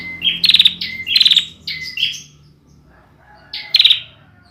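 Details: Immature bar-winged prinia with song not yet formed: quick series of sharp chirps and buzzy trills, then a pause and one final burst.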